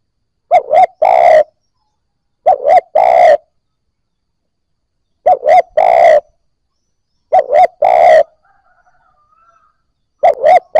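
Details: Spotted dove cooing to make newly caught doves start calling. Five evenly spaced phrases, each two brief hollow notes and a longer rolling coo, with a faint thin whistle once.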